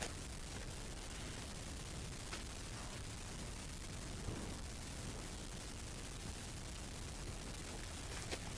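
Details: Quiet, even background hiss with a few faint clicks and rustles, with no animal calls present.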